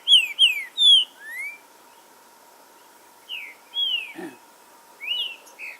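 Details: Green-winged saltator song from forest, intended to stimulate aggressive singing: three loud whistled slurs open, a rising whistle follows, then after a pause more clear falling notes, a brief low thump and a faint constant hum.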